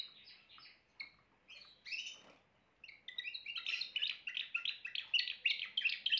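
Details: Timbrado canary starting with a few separated chirps and short phrases, pausing, then building into a quicker, louder run of repeated trilled notes with faint background noise.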